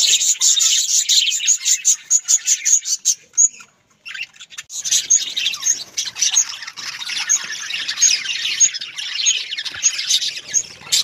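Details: Kept budgerigars chattering together in a dense, continuous stream of high chirps and warbles with sharp tweets layered on top; a brief quiet gap near the middle, then the busy chatter resumes.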